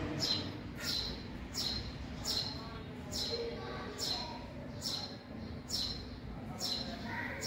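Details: Young house sparrows nesting in a garage, calling with sharp, high, falling chirps repeated roughly every 0.8 seconds against a constant low background hum.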